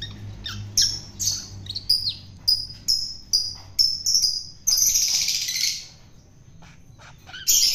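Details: Hand-feeding a wild-caught long-tailed shrike to tame it: a run of short scratchy high notes roughly every 0.4 seconds, then a drawn-out grating rasp and a final harsh note.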